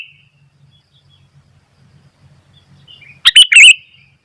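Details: Sooty-headed bulbul in lively song, drawing wild bulbuls to call: near-silence with faint low hum, then one sudden loud, rapid burst of bright chirped notes near the end.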